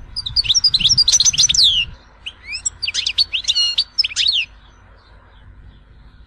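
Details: Goldfinch singing the Algerian Tizi Ouzou song: a busy flow of high chattering twitters and short slurs in uneven clusters, with a low rumbling background noise.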